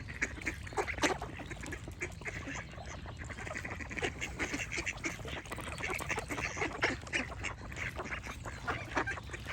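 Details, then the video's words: Ducks quacking in a dense, busy chorus of overlapping harsh nasal quacks, many short bursts every fraction of a second, with birds chirping and a steady low rumble throughout. "Duck Quack Sound Effect with Birds Chirping for Relaxation"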